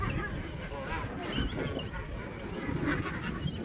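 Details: King penguin (Aptenodytes patagonicus), colony calls.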